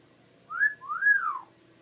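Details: Indoor captive parrot whistling cleanly over a quiet room: a short rising whistle, then a longer one that rises to a peak and slides down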